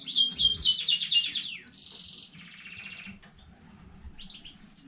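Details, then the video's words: Domestic canary from new home breeding, 15 May 2019: rapid stuttering notes give way to dense buzzy trills, a pause, then thin high whistles, over a faint background rumble. "KANARYA ÖTÜŞÜ YENİ ÜRETİM HANEDEN 15.05.2019 CANARY SINGING"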